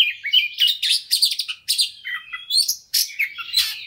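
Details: Lure song of a white-rumped shama meant to set a fighting bird singing: choppy bursts of chattering, buzzy notes about once a second, interleaved with short whistled slurs.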